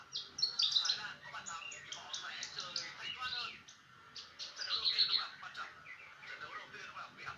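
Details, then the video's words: Brenjangan song used to train songbirds: dense chattering of chirps, rattles and fluty whistles, louder rattled bursts near the start and middle, faint low background hum. "masteran burung brenjangan"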